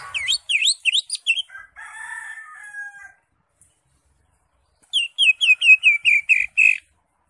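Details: Green leafbird kept in a cage, its lively song meant to stir silent birds: quick swooping whistles, a sustained buzzy note, a gap, then a steady series of about eight descending slurred whistles.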